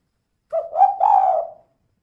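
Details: Spotted dove female giving a 'kuk 2' style call meant as a lure to get other birds singing quickly; one brief soft coo runs into a long, drawn-out, wavering coo lasting about a second.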